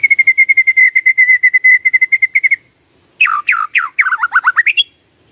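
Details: Lure recording of white-rumped shama song meant to trigger a reply from quiet birds: a long, even series of rapid repeated whistled notes, a pause, then loud descending slurred phrases.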